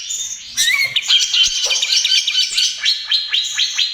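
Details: Lively young trotol greater green leafbird song, played as a lure and therapy for other birds: whistled notes and busy twittering, ending in a run of quick down-slurred chips about twice a second.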